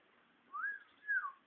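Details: A caged brown-backed solitaire, singing constantly, gives two pure, fluty whistled notes, the first arching up and over, the second sliding down, about half a second apart.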